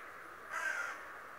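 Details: A raven, said to be a talking bird that watches people every day, gives a single harsh, hoarse caw of about half a second against a steady quiet hiss.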